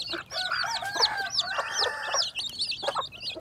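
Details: Baby chicks hatching in spring 2021, peeping in rapid high, sharply swept notes that overlap almost continuously, with lower, softer clucking sounds underneath through the middle of the recording.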